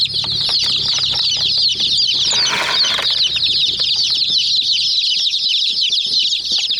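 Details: Hen chicks pecking a white mini toy jeep keep up a busy chorus of shrill, quick peeps; a brief rushing burst of noise breaks in midway, and small taps continue.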